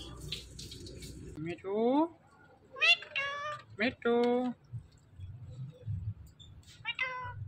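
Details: A flock of Indian ringneck parrots (rose-ringed parakeets) gives short, rising, nasal calls and talk-like phrases, including mimicked "mitthu" words, in a few bursts over several seconds, with faint running water behind.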